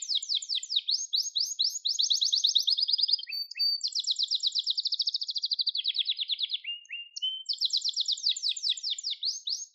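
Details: Gloster canary song meant for training other canaries: continuous high trills sung without a break, shifting from fast rattling rolls to smoother even tours and back, with short drops to lower notes, clean and unaccompanied.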